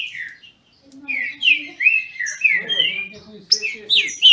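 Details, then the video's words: Captive Green-winged Saltators in Brazil sing against each other in contest. Several full, slurred whistles follow a brief pause, with low murmuring sounds beneath and sharper high notes at the end. "Trinca ferro disputando!!!"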